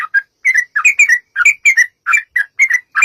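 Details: Clear, close yellow-vented bulbul song used as a lure for answering bulbuls: crisp liquid chirps in pairs and triplets, sliding up and down, repeated rhythmically with short silent gaps on a clean background.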